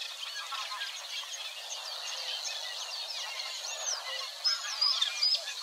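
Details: Eurasian Reed Warbler song from reedland at Wetering West, Overijssel, on 6–7 May 2022. Contented burbling that imitates a little, given as a dense mesh of chirps and short slurred whistles, louder toward the end.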